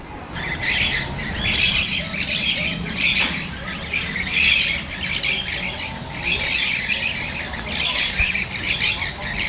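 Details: Maroon-bellied parakeets at the Botanical Garden in São Paulo, Brazil, 21 January 2016: harsh, grating screeches in rapid bursts, several birds calling over one another almost without pause, with a steady background hum.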